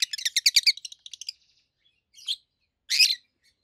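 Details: Loud high chirping from two adult peach-faced lovebirds kept as long-time pets: a fast rattling series of shrill notes, then a few separate harsh squeaky chirps after short pauses.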